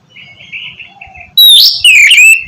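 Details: Oriental magpie-robin song used as training for a bird that will not sing; faint background warbling, then two loud rich whistled phrases, the second slurring downward.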